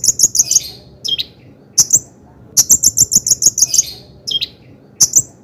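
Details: Long-tailed shrike song used to excite other shrikes into singing: very high, thin repeated notes in quick runs of four to eight, separated by short gaps and occasional lower slurred notes.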